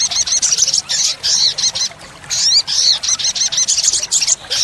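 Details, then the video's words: Olive-backed sunbird (sogok ontong) in full 'tembakan' song for training caged birds: long runs of very high, fast, scratchy twittering and sweeping notes, with one short pause midway. "Pancingan & Masteran sogok ontong (sogon) Full Isian Tembakan | Olive-backed Sunbird Bird sound"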